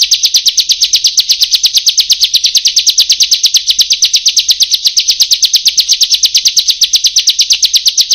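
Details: Bar-winged prinia (ciblek/prenjak) training recording: a dense, fast series of buzzy high notes repeated nearly three times per second, steady and unbroken throughout.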